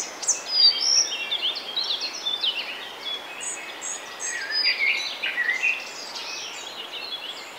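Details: Male collared flycatcher singing in Bavaria, Germany, in May 2020: high, thin squeaky notes and short slurred phrases tumbling quickly, mixed with other birdsong and a steady background hiss.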